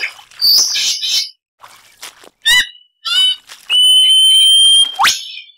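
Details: Superb lyrebird mimicry: a burst of harsh twittering, buzzy rattling phrases, a long steady whistle like a laser shot, then a fast upward-sweeping note.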